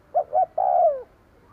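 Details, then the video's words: Single phrase from a decoy spotted dove calling to lure wild birds: two quick low hoots, then a long mellow coo sinking in pitch at the end, with faint hiss behind. "Tiếng cu gáy mồi gù gáy kích bổi nhanh nổi"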